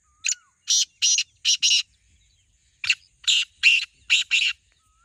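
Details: Two rasping call phrases of five harsh notes each from a black francolin competing in a voice contest against a second bird; a soft whistle from another bird is heard at the start and end.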